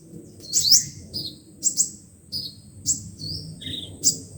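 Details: Lure recording of five-colour and seven-colour sunbirds used with a loudspeaker to trap wild birds: sharp, very high, piercing notes and short downslurred whistles spaced about half a second apart over a soft low rumble.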